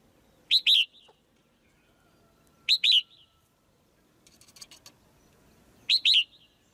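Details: Female white-eye calling from a cage to stir a male into stronger singing. Three double chirps, high and bright, are spaced roughly two to three seconds apart, with a soft rustle between them.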